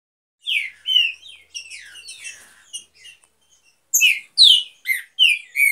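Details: Green-winged saltator, one of a breeding pair in an aviary: a busy run of short slurred whistles, mostly falling, with higher chirps mixed in, a pause near three seconds, then a louder burst of bright descending notes.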